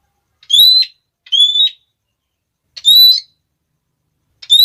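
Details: Red-cheeked parrot calls seen in Tambora National Park in noisy flocks, a call that sets other parrots calling: four loud, shrill, slightly rising klee notes with harmonics, given in two pairs about 1.5 seconds apart.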